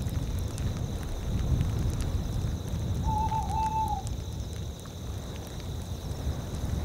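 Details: Tawny owls calling in a tundra landscape. Midway through comes one drawn-out, quavering hoot about a second long, wavering rapidly in pitch. Wind roars beneath it and crickets chirp steadily throughout.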